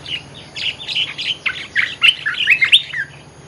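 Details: Olive-winged bulbul lure song, a continuous burst of bubbly, liquid chirps and short warbled notes, louder and more tangled toward the end, over a faint low hum.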